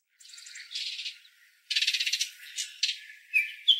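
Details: Baltimore oriole at a backyard, visiting yearly for food and offered grape jelly; loud dry rattling chatters in quick bursts, with sharper scratchy notes toward the end.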